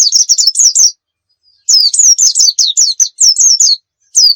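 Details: Oriental white-eye singing to serve as a tutor for other birds: bright, high, downslurred chirps strung in quick runs, a short opening phrase then a longer two-second volley after a brief gap, clean with no background noise.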